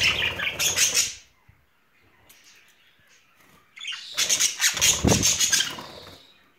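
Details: A pair of pet budgerigars in spring courting mood give two bursts of raspy, high, rapid chattering and squawks, each lasting one to two seconds, with a quiet pause between them.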